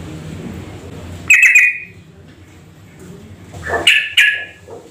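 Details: Sooty-headed bulbul lure call for prompting answering calls: a short bright bubbly phrase, a pause, then two more brief chirping bursts close together, with faint background noise.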